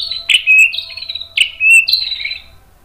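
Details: White-rumped shama provoking song for training: a few long whistled notes, each starting with a sharp high attack before settling and fading, repeated three times.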